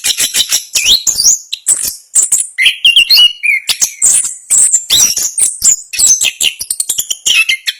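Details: Rapid rolling ngerol song of an Orange-headed thrush, a national contest champion, with bursts of piercing high notes, a few lower drawn-out whistles in the middle, and dense chatter closing the passage.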